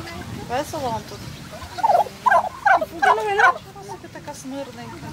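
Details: Wild turkey gobbling, short bursts of rapid, rattling, warbled notes clustered in the middle of the recording, with a person talking nearby in Ukrainian.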